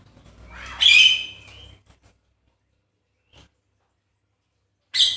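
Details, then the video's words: Javan myna lure call used to stir a reluctant myna into song: one loud, grating squawk lasting about a second, followed by silence, a tiny click, then the start of another harsh burst. "Pancingan sakti jalak kebo yang malas bunyi langsung emosi"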